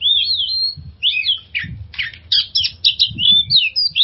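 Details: Oriental magpie-robin song played as a lure to help stressed birds sing: opens with a long wavering whistle, then varied looping whistles and quick chirped notes in a lively flowing sequence, soft low background noise.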